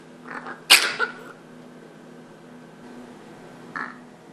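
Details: Pet hen with a cold, fever and blocked nose, sneezing often indoors: one sharp explosive sneeze with a short rasping tail, then a softer nasal snort near the end, faint steady hum behind.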